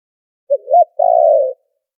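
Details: Spotted dove call for luring birds in trapping, filtered clean: short coo, slurred upturned note, then a long trembling croo, one phrase against complete quiet.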